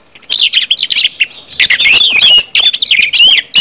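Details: Brief ngeplong burst by an orange-headed thrush, sung to stimulate others: after a silent start, fast chattering twitters and clear slurred whistles pour out loudly and without break.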